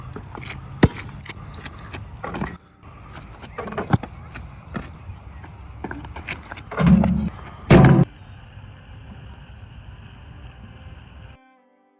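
Low traffic rumble with clicks, knocks and a couple of loud bangs, like car doors or handling noise, and no animal voices.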